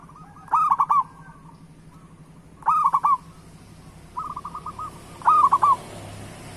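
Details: Local zebra dove singing as a lure for doves that are slow to sing: bright rolling coos repeated roughly every two seconds, with a quieter purring trill in between and a low steady hum behind.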